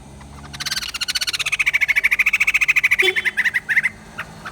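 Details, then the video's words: White-crested laughingthrush song: a rapid rattling cackle of pulsed notes that holds a steady pitch, then breaks into looser, uneven bursts and ends with a few scattered short notes. "Poksai Jambul males bunyi, dengar suara ini malah GACOR"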